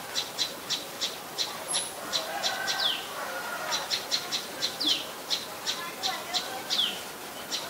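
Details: Adult common tailorbird, a common resident, in Ubon Ratchathani, Thailand, on 27 January 2021: rapid high ticking notes about three per second, with a few sharp falling sweeps mixed in, over a soft background hiss.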